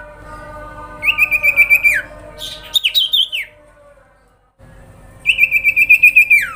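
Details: Sooty-headed bulbul (sirpu) grincingan call used to provoke nearby birds: two long, evenly pulsed high trills, each ending in a falling slur, with a wavering twisted phrase between them.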